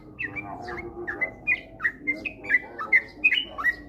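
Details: Sooty-headed bulbul, ropel-style stimulus song: clear, sweet whistled notes with sharp rising and falling slurs, roughly two or three per second, steady and chattering over faint low hum.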